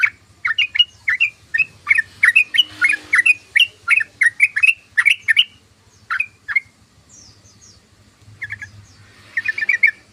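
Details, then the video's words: Chattering song of a yellow-vented bulbul: a rapid run of short, bright down-slurred notes for about six seconds, a lull with faint high notes, then a short closing burst of quick chirps. "SUARA BURUNG TRUCUKAN❗❗❗TRUCUKAN NGOCEH❗❗❗TRUCUKAN NGERIWIK❗❗❗"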